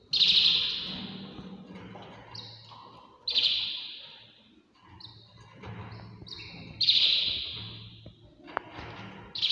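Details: A canary sings in the early morning, giving loud, rolling high trills in bursts about every three seconds, with short whistled notes between them over a faint low room hum.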